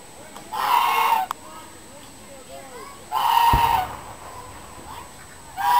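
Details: Turkey described as angry, giving loud, harsh, rattling gobbles of about a second each, roughly two and a half seconds apart, with a third starting at the end; faint ticking in the quiet gaps.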